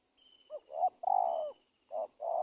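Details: Spotted dove calling as a lure for trapping wild doves: a short hoot, a quick double note, then a long, steady, mellow coo, with the next phrase starting after a pause. Faint thin high whistling tones run in the background.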